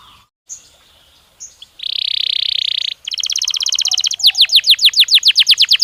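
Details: Belgian canary song played as a training stimulus to warm up a bird and make it sing: a few short chirps, a steady buzzy tone lasting about a second, then a fast rattling trill that turns into rapid downslurred whistled notes.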